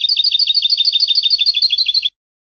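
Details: European goldfinch song from a tutoring CD for teaching young birds to sing, prepared by a master of the Andalusian Hunting Federation: a fast, even trill of rapid tinkling double notes, repeated steadily for two seconds, then silence.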